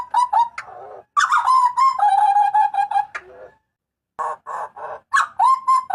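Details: Papuan butcherbird's loud, piercing cry: quick notes, then a long series of steady harmonic yelps around one pitch. A pause follows, then harsher buzzy bursts and more ringing level notes.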